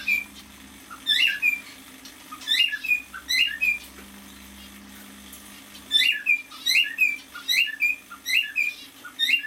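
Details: Male cockatiel aged six months sings in a room, first a few rising-falling whistle phrases, then a silent stretch, then a rapid run of repeated slurred whistles at about one per second.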